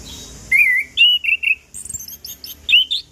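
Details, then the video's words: Chestnut-capped thrush song made of drawn-out whistled notes, some wavering, then a burst of high twittering and a final rising whistle. It is meant as a lure to start silent birds singing. "Anis Kembang Ngeplong Pagi Siang Sore - PAncingan Burung Anis Kembang Macet Bunyi"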